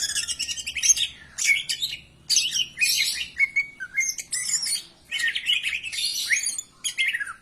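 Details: Greater green leafbird song intended to stimulate other birds to sing: high, dense chattering and whistled phrases in bursts about a second long, separated by short silences.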